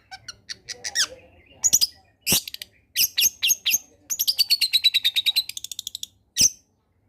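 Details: Long-tailed shrike's energetic combination song, used to stimulate lazy shrikes to sing: varied high chirps and clicks, then a fast run of about a dozen quick notes slowly falling in pitch, ending with a sharp snap.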